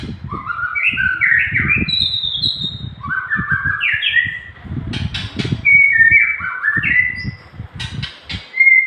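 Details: Nias hill myna in a long training song for cage birds: rising and falling whistled phrases, several clipped sharp bursts near the middle and end, with continuous low thudding beneath.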